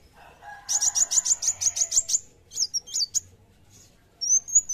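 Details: Kolibri wulung sunbird giving a rapid high buzzy trill over a faint lower rasping background, then a few sharp twisting chips and a single long thin whistle.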